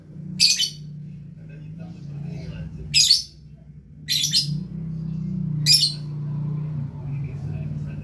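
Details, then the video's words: Gacor lovebird letting out four loud, shrill, scratchy chirps about one to one and a half seconds apart over a steady low hum. "Love Bird Gacor"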